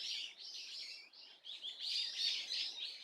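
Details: Swallow calls recorded on 30 April 2024, a Tuesday: a fairly soft run of high, quick chirps and twitters, bunched into short bursts with brief breaks between them.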